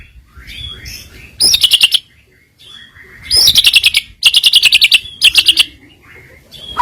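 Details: White-rumped shama lure song with filler phrases to provoke rivals: soft whistled slurs alternate with loud, rapid, high buzzy trills repeated in several bursts.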